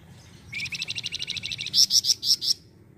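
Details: Flamboyan bird in full lively song, kept as a tutor for white-rumped shamas: a rapid run of high, evenly spaced trilled notes speeding along for about a second, then five louder, sharper piercing chips.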